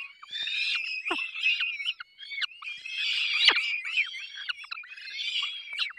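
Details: Wild peregrine falcons at a nest in the Barycz Valley, Poland, on 3 May 2024, a parent pair feeding their chicks. Dense, harsh, high-pitched wheezing and chittering runs almost continuously, broken by short pauses and a few sharp downward-sliding notes.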